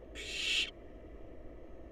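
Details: One drawn-out, noisy hiss of roughly half a second, swelling slightly before cutting off, from wild barn owl babies huddled in a nest box awaiting their next meal, with faint hum afterwards.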